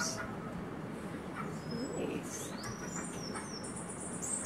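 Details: A male Slate-colored Seedeater sings on a farm, a bird that sings all day and chases other birds away: thin, high whistled notes, some sliding up or down, faint over a steady background hiss.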